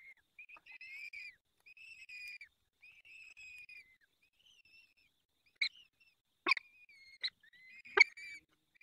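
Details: Peregrine falcon at its nest during the fifth feeding, Barycz Valley, 23 April 2020, 19:28; drawn-out wheezy, slightly falling calls with strong harmonics in a steady series, followed by several sharp clicks and knocks near the end.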